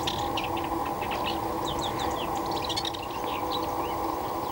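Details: Isabelline shrike at Marjal d'Almenara gives a scattered run of short, scratchy chirps and thin high notes, uneven in pace, over a steady low rushing background noise.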